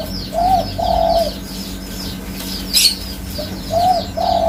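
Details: Spotted dove, known locally as tekukur, giving soft low coos in short phrases, two drawn-out notes then a pause and another pair, over constant chirping of small birds and a steady low hum.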